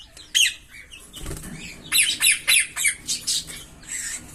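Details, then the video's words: Green Fischer's lovebirds, a pair, give harsh, squawky chirps in quick, uneven bursts, roughly three or four per second, with a soft low thump early on. "Lovebird Singing & Chirping Sounds"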